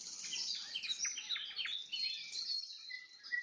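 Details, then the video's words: Nightingale singing at sunset with a fast trill of rapidly repeated dropping notes, followed by high, level whistles and a few short separate whistled notes toward the end. "Пение соловья на закате, соловьиные трели"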